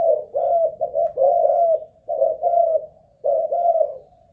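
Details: Caged spotted dove of Malaysian stock, a ground decoy under a stamina test, utters a rolling series of throaty coos, several notes run together, then two-note groups after brief pauses.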